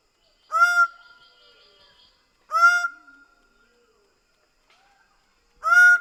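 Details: Greater bird-of-paradise giving three loud nasal honks, each dropping into a sustained level tone, spaced roughly two to three seconds apart in a quiet setting.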